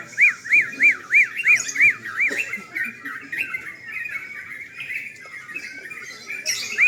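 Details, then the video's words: Contest bulbuls singing at night: a sooty-headed bulbul opens with six loud, evenly spaced arched notes that rise and drop. A softer jumble of similar notes from other birds follows, and one more loud note comes near the end. "Lomba burung trucukan"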